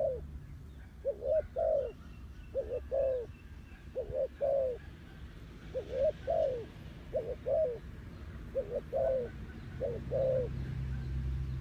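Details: Spotted dove, recorded as a clean lure call for trapping: repeated paired coos, a short rising note followed by a longer falling one, about forty phrases a minute, over a low steady rumble.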